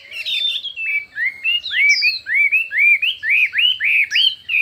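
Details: Fiery contest singing of a Chinese hwamei showing many voices: a run of clear, loud, arched whistled notes, about two per second, sliding up then down, some high descending slurs, in a quiet setting.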